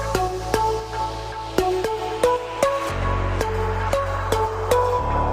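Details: Electronic dance music with a steady beat and repeated synth notes plays throughout, with no animal sound.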